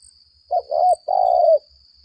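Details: Spotted dove kept as a decoy bird, giving a fighting call: two mellow, slightly hoarse cooing notes, a short one and then a longer drawn-out one, in a quiet setting.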